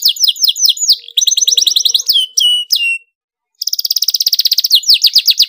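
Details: Excited canary singing a dense, fast rolling song to make other canaries sing along: repeated swooping phrases, rapid trills with sharp falling notes, a brief silence, then another long, evenly pulsed bright trill.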